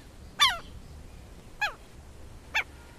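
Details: Three spaced southern lapwing cries, sharp and descending, the first loudest and later ones weaker, over steady low background noise.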